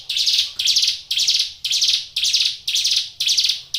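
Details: Hill Prinia kept as a cage bird, in full song. Rasping, buzzy notes come in an even rhythm of roughly two per second, each note fading slightly before the next begins.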